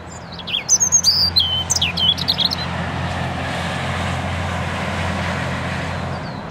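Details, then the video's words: European robin singing from among branches: a burst of thin, high, varied warbling phrases with sharp rising and falling notes for about two seconds, followed by a steady low rumble like distant traffic. "Robin Red Breast's song"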